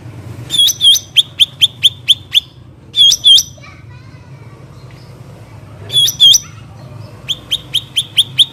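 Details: Cucak ranting bulbul in a natural-setting recording, giving sharp high chirped notes in quick repeated strings, with pauses between bursts and a faint low background hum.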